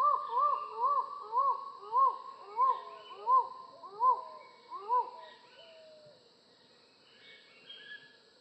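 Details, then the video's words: Collared forest falcon giving a fast series of short, arched, hollow notes, about one and a half per second, slowing and fading toward the end, over a steady high-pitched background drone. "Falcon Call Video: Collared Forest Falcon Bird Sound"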